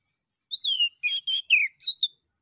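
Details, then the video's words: Lure song of a lively male orange-headed thrush, sung to draw replies from other birds: a long falling whistle, three short clipped notes, then a final bright whistled phrase. The background is otherwise silent. "SUITAN ANIS KEMBANG JANTAN DAN PANCINGAN ANIS KEMBANG GACOR"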